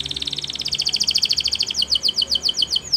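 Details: Belgian canary's morning song, a fast rolling trill of high chirped notes repeated many times per second, slowing slightly toward the end into separate downward-sweeping notes.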